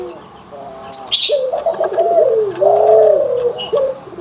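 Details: Cooing of white and brown Barbary doves: two drawn-out, warbling low coos sliding downward, preceded and followed by brief high-pitched chirps of other birds.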